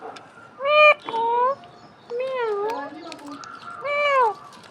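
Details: Alexandrine parakeet giving loud, nasal, arching squawks, rich in harmonics; three drawn-out calls rise then fall, the middle one dipping into a lower wavering note, with quiet room noise between calls.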